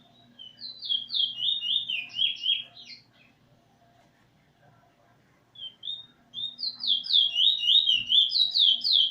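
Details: Song practice by a Eurasian bullfinch singing with its teacher bird on 13 August 2020: a quick series of piping, slurred whistles, a silence of about three seconds, then a louder, faster stream of similar notes.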